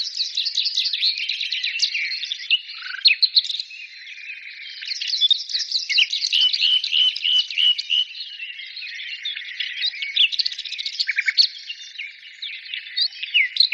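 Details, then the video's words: Continuous birdsong chorus, many voices layered into a bright, chattering wall of high chirps and trills, with a run of evenly repeated whistled notes near the middle. "birds singing"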